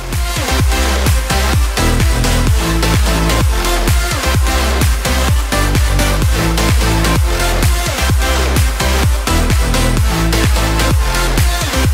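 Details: Loud electronic dance music with a steady pounding beat and no animal sounds.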